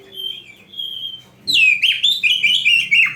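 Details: Lively Oriental magpie-robin song from an Indonesian recording made to train young or reluctant caged birds to sing: soft whistles at first, then a loud burst of rapid, varied, slurred phrases repeated with short breaks.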